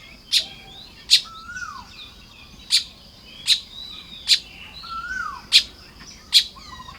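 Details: Baya weavers at work on nests at dawn in Lopburi, Thailand, May 2026. Rapid, irregular, high snapping chirps, roughly seventy a minute, with several wheezy whistles that rise and then fall in between.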